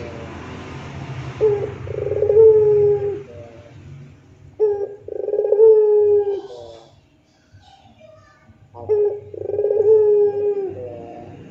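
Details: Puter pelung barbary dove repeating rintihan coo phrases about every three to four seconds, each a clipped note, a fluttering roll and a drawn low hoot, with soft background murmur and a few faint higher calls.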